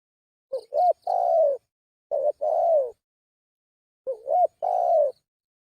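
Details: Spotted dove lure call: three coo phrases, each a short hooked double note followed by a longer, smooth, slightly falling coo, spaced about 1.5 seconds apart. Faint high chirps sound above the first phrases.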